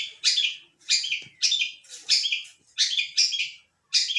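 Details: Pentet, the long-tailed shrike, in full voice: rough, buzzy high phrases repeated roughly every half second to second, each a harsh descending rasp with a short gap between, in quiet surroundings.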